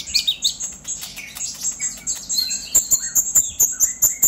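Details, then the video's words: Excited chatter from a purple-throated sunbird, played to stimulate other birds to sing: a jumble of sharp high notes that settles into a fast, fairly regular series of tiny ticking chips, roughly two per second. "Pancingan KONIN Bahan agar GACOR NGOBRA EMOSI - Purple Throated Sunbird"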